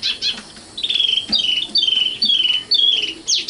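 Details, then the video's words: Common nightingale song of clear, loud, down-slurred whistles repeated at a steady pace, with short gaps and a sharp, sweeping note at the close. "kicau burung sikatan londo"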